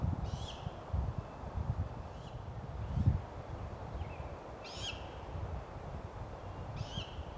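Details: Great Grey Owl during a food delivery: several high, harsh, rasping screeches, each under half a second and spaced one to two seconds apart, over steady low rumbling background noise.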